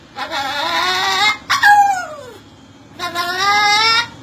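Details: Parrot imitating a turbo whistle: a sustained, rich, harmonic squeal, then a whistle sliding steeply downward, then another long squealing tone.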